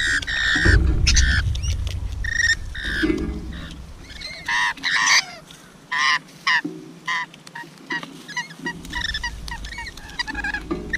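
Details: Rainbow lorikeet feeding, with loud, harsh, rasping screeches repeated in rapid irregular bursts and a low rumbling background in places.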